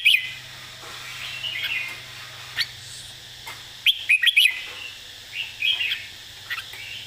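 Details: Red-whiskered bulbul singing its master song, words clearly phrased and stressed: scattered warbled notes, then a loud rapid group of four bright chirps and further lilting phrases, above a constant low hum.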